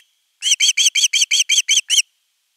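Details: Begging for fish at nest 3, 10 August 2021, an Osprey utters a tight burst of nine bright, evenly spaced whistled chirps with ringing overtones, then silence.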